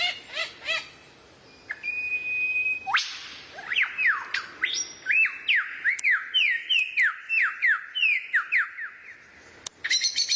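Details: Master training song for White-rumped shama from a rare bird: a few short chips and a held flat whistle, then a long rapid series of rising-and-falling slurred whistles ending in a burst of chatter.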